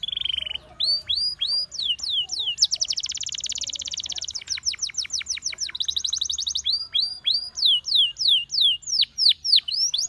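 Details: Singing canary calling others to join in: a steady tone, falling whistled slurs, long buzzy rattling trills, then a run of loud, evenly spaced downslurred notes.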